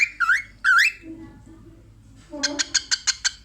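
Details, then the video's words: Female pet cockatiel watching herself in a mirror, giving two loud, bending whistled notes that dip then rise, followed after a pause by a fast run of six short, sharp pulsed notes; a low voice murmurs in the background. "Cockatiel bird watch her in mirror and funny laugh"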